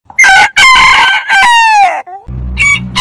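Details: Rooster crowing, from a compilation of heritage chicken breeds: overlapping long harmonic crows, with a drawn-out middle note that slides down at the end. A deep, low rumble follows near the close.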